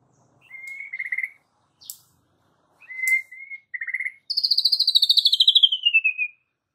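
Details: White-rumped shama song as a lure to provoke young and wild fighter birds: thin whistled notes and short buzzy phrases, then a long rapid trill sliding downward from high to lower pitch.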